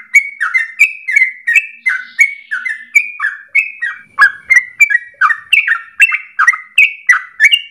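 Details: Long rapid 'ropel' song from a chatty sooty-headed bulbul, meant for tutoring birds: unbroken chain of liquid, warbling whistles, each sliding down in pitch, about three a second, growing slightly higher near the end.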